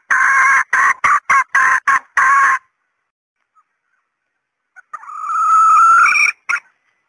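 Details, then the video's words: Female red junglefowl lure call, several short harsh clucks in quick succession, silence, then a single long rising nasal note followed by one final cluck. "SUARA PEMIKAT TERBAIK AYAM HUTAN BETINA"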